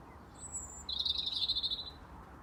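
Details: European robin in a Dublin garden on 18 February 2024 sings one brief phrase: a thin, very high note, then a fast, quavering warble of about ten pulses lasting a second, over faint background hum.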